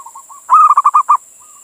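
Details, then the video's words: Local Indonesian male zebra dove calling to a female, recording used to lure other doves. A soft low coo, then a loud rapid rolling series of about six throaty cooing pulses, ending in a faint coo. "Suara Perkutut Jantan Memanggil Betina"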